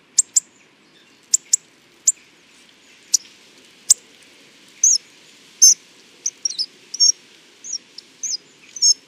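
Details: Hawfinch singing in nature: a few sharp, clicking ticks spaced about a second apart, then a quicker run of high, thin, slurred chirps in the second half.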